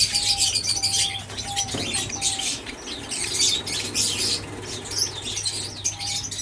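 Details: Java sparrows in an aviary produce rapid, high-pitched twittering and clicking phrases, with a few short steady tones and a constant low hum underneath.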